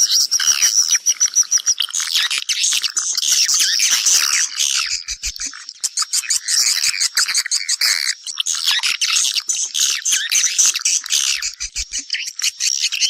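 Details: A flock of swiftlets calls others home to nest. Rapid, rattling chirps pour out in a thick stream, and a short high whistled note opens the clip.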